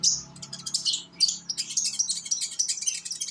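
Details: Young sunbird from Indonesia, used as a lure to make other sunbirds sing: high, thin chirping and twittering phrases run almost without pause, with a faint low hum underneath.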